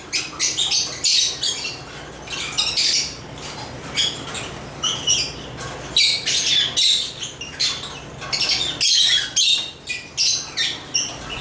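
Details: African lovebirds chirping in many short, sharp, squeaky calls, several per second, loose and irregular in rhythm, over faint background noise.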